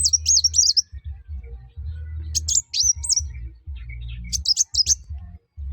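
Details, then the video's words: Singing sunbird used as a lure for other birds: three short groups of high, looping, whistled notes over a continuous low droning hum. "kuwul atau kolibri wulung/mucang gacor. buat burung lain pasti ikut gacor"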